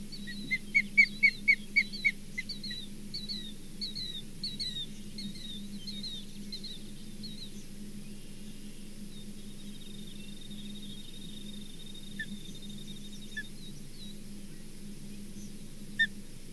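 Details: Osprey calling at the Charlo nest on 4 June 2023, with a grizzly bear possibly around: a quick burst of loud whistled chirps fades into softer spaced notes, then a long thin steady tone, over a constant low electrical hum.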